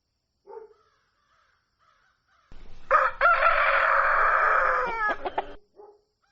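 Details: Rooster crowing at dawn: after a soft cluck, one long loud crow rises sharply, holds a strained harsh tone for about two seconds, then breaks into short stuttering notes and a final cluck.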